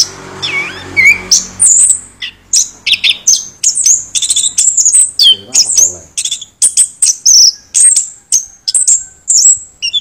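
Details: Song of a chestnut-backed thrush. Brief rising whistles open it, then a long series of high, piercing twittered phrases follow one another almost without pause, with faint background murmur early on.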